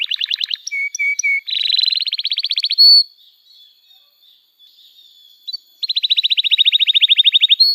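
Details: Canary song used as a training lure for young canaries: a choppy trill, three lower whistled notes, a buzzy rattle and a high whistle, a quiet gap with soft chirps, then a long clean trill.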